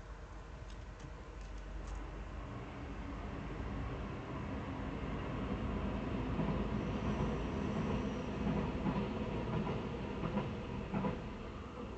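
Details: A train rumbles steadily by with rhythmic wheel clatter and low mechanical roar, and no animal voice can be picked out.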